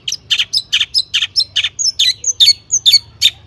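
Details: Long-tailed shrike song full of imitated fill-in phrases, used as a lure for other shrikes. Fast, evenly spaced bright chirps run throughout, with short high whistles slipped in between them toward the end.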